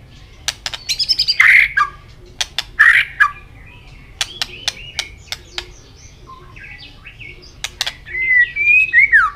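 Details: White-rumped shama singing in contest while flicking its tail continuously, in a varied song of many voices: short whistled, slurred phrases between about two and five kilohertz, broken up by sharp, irregular clicking sounds, with a long warbled run near the end.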